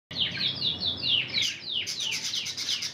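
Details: Trained Spanish Timbrado song from a caged intense red canary hen: a run of descending slurred notes about every 0.2 seconds, then a faster series of bright trilled phrases.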